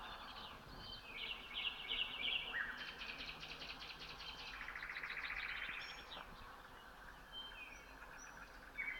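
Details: Nightingales and other birds singing at 3 a.m. on 27 May 2018 at Red Hill, Moscow region, Russia; rich varied phrases with rapid repeated trills and clicks, whistled notes, several birds overlapping.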